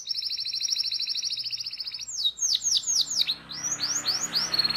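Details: Young canaries' teaching song: a long, rapid, evenly pulsed trill lasting about two seconds breaks into loud swooping, falling whistles, with soft background hiss.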